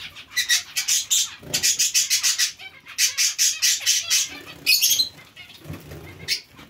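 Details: Zebra finch colony kept alongside Bengalese finches: runs of short, nasal, honking calls repeated several times a second in bursts, pausing between series, with soft wing flutters beneath.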